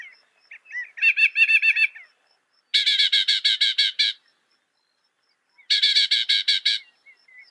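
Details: Northern mockingbird (Mimus polyglottos) song of loud, fast, buzzy chattering bursts, each a rapid run of about eight harsh notes, with pauses between and a few softer whistles.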